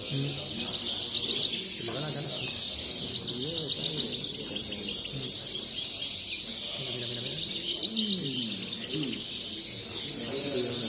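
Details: European goldfinches singing in cages at a bird-society contest in Las Planas, Sant Joan Despí, Barcelona, 23 November 2019. Sustained high twittering and tinkling trills from several birds, with quick chirps repeated about three times a second and low background chatter.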